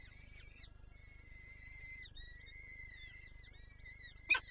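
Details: Peregrine falcon at Lublin, Poland, recorded 23-04-24, calling while wanting to feed its chicks: drawn-out harmonic wailing notes, a long one then several shorter wavering ones, ending in a sharp click, over a low steady hum.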